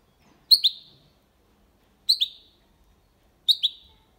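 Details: Goldfinch × canary hybrid, Málaga copy style, used to stimulate hens and tutor young birds: three clipped double notes, each a quick bright chip followed by a brief fading trail, spaced roughly one and a half seconds apart, no background noise.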